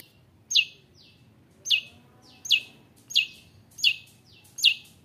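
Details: Long-tailed shrike in full song meant to make other shrikes agitated and sing back: six loud, piercing downward-sweeping notes, each followed by a softer echoing sweep, repeated roughly every 0.7 seconds.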